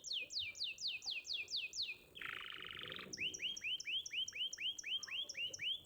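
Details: Champion contest canary song for tutoring young canaries: quick repeated downward sweeps, a harsh buzzy rattle about one second long, then curved rising notes layered under a faint, higher repeated series.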